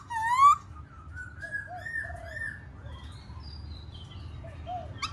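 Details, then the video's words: Black-throated laughingthrush song opens with a loud upslurred whistle, followed by softer, gently wavering whistled phrases and a few low mellow notes. "KHƯỚU BẠC MÁ HÓT MÚA HAY"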